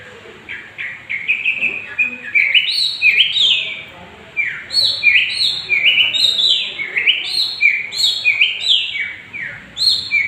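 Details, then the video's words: Young long-tailed shrike of the long-haired type in full vigorous song, played as a lure to provoke rivals: rapid, varied chattering phrases of slurred and buzzy notes, tumbling almost without pause. "pancingan suara burung cendet gondrong muda gacor"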